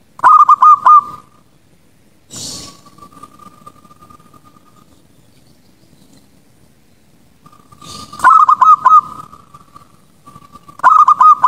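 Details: Zebra dove, recorded at night as a lure to train other doves, gives short bursts of rapid, staccato cooing notes, soft and mid-pitched, with sharp noise bursts and a steady faint tone between phrases.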